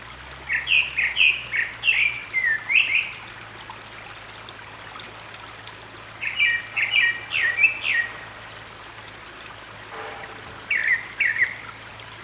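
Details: A Grey-backed Thrush moving about a valley at Sinwonsa Temple, Gyeryongsan Mountain, South Korea, on 6 May 2022 sings short, clear whistled phrases of rising and falling notes every few seconds over rushing stream water.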